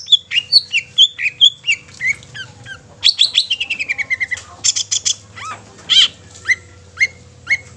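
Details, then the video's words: Long-tailed shrike song used to provoke other shrikes into singing and agitation: varied high chirps and whistles, then a rapid descending series of short notes, followed by scattered squeaky calls at steady intervals. "Suara Kicau Cendet Ini Dapat membuat Cendet Lain Gacor Dan EMOSI"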